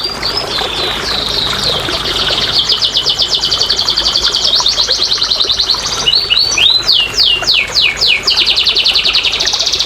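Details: Canary song played as therapy and lure to stimulate quiet canaries to sing: fast high trills and rapid repeated notes, then a run of downward-sweeping whistles around the sixth second, continuing in dense rolling trills.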